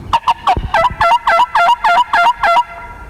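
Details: On a foggy morning hunt with decoys, a strutting wild turkey gobbler about 50 yards away gives a quick, throaty gobble of about eight bubbling notes over two and a half seconds, each note dropping slightly in pitch.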